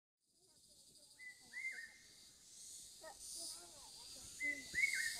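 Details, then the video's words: Large hawk-cuckoo, heard but not seen, giving shrill, whistled notes that rise and then break, in two bursts a few seconds apart, over a steady insect hiss with softer warbling from other birds. "聽聲不見鳥系列之大鷹鵑 Large Hawk Cuckoo"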